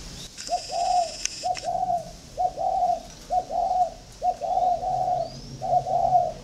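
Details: Spotted dove calling in contest with a ground decoy bird, giving rapid series of short and drawn-out low coos in close succession, phrases nearly overlapping, with a brief metallic clatter near the start.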